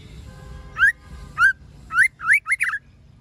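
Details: ['Female white-rumped shama calling to stimulate males to sing: five short upslurred whistled notes, quickening toward the end, with a faint low hum beneath.']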